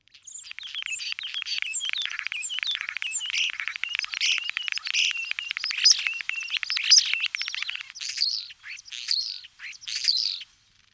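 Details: Common starling singing a varied, unmusical stream of squeaky whistles, clicks and chattering notes, with rising and falling slurred whistles toward the end, lasting about ten seconds.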